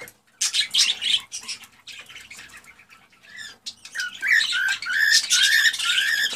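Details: Male cockatiel in excited song to prompt a female to mate: rough chatter at first, then a run of clear whistled notes, some rising, interwoven with buzzy squeaks.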